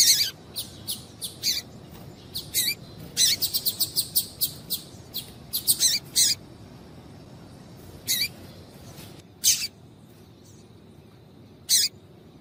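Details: Female double-collared seedeater calling to stimulate a male: a busy stretch of quick, high, scratchy chips in bursts and short runs, thinning out to isolated chips toward the end.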